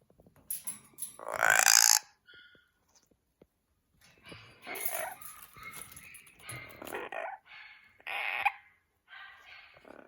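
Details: Pet Amazon parrots hanging out together: a loud, harsh squawk bursts out early, followed by a jumble of shorter raspy squawks and chatter in uneven runs.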